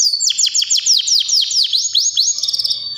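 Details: Yorkshire canary singing without pause, a string of loud high notes each sweeping sharply downward, about five per second, ending in a quicker buzzy trill.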